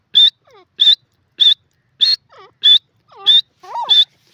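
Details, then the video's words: Grey francolin, called teetar, giving sharp, high clipped notes about every half second, with softer lower whistled slurs between them. "grey francolin call"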